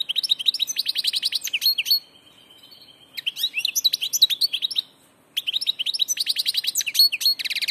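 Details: Goldfinch singing in bursts of rapid, high twittering: buzzy trills, sharp chirps and quick rising notes, with two short pauses in between. No other sounds are heard.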